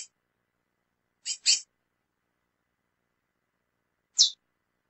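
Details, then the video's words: Female lesser seed finch giving short, high, rasping calls: a quick double note followed by a single clean chip a few seconds later. "Fêmea de Curió Piando e Chamando Muito"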